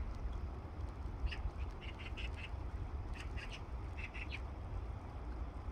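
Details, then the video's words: Little grebe giving short, high, squeaky notes in quick clusters of two to four, over a steady low rush of water and wind. "small grebe and water sounds"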